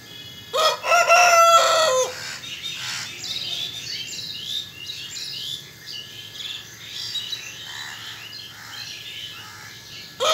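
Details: Rooster crowing briefly at the start, a loud harmonic crow lasting about a second and a half, followed by a long stretch of quick, high chirping from small birds, with another crow starting at the very end.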